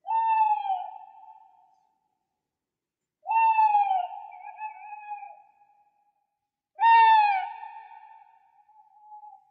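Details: Owl calls: three drawn-out, hollow hoots with a slight downward bend, spaced roughly three seconds apart, each tapering into a long fading tail; no other sounds.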